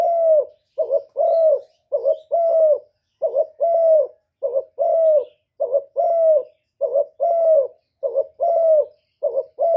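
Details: Spotted dove crowing in the thổ voice to rouse wild rivals. Low, mellow two-part coos repeat evenly throughout: a quick doubled note, then a sustained slightly falling note, with no other sounds.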